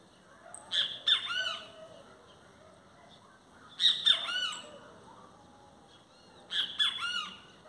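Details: Great kiskadee singing: three loud, harsh, strident bursts of clustered notes, each about half a second long and repeated roughly every three seconds, over a quiet, faintly hissing background.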